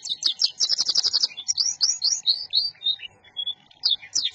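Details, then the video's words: Local canary song: high chattering trill opening into separate sweeping whistled notes and slurs, then a fresh burst of quick notes at the end. "Kenari Lokal Durasi Aman Volume Ngejoss"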